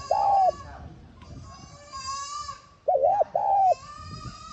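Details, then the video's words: Spotted dove calling to rouse a decoy bird: a long, flat, mellow coo, then a stretch of thin whistles and twittering from other birds, then a wavering double coo and another drawn-out coo. "Tiếng Cu Gáy Hạp BổI [ TGÁY GỌI ] Kích Bổi Nhanh Nổi"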